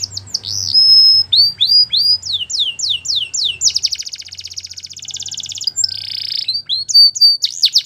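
Belgian canary in full song: high whistled notes and quick falling slurs, then long rapid rolling trills, with a faint low hum behind.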